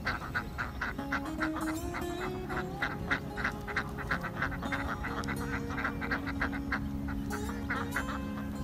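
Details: Many farmed ducks on a river quack together in a busy, overlapping chorus, several calls each second, with a steady low hum underneath.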